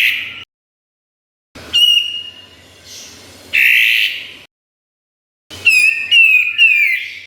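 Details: Kapas tembak, a songbird, recorded as master song for training competition birds; bursts of clear whistled notes near steady pitch, some sliding downward, separated by short silent pauses, with a final run of bright repeated whistles.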